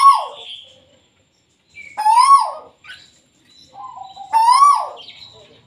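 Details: Little bronze cuckoo calling while held. Three loud whistled notes, each rising then falling away, are separated by pauses, with a softer, flatter note before the last one.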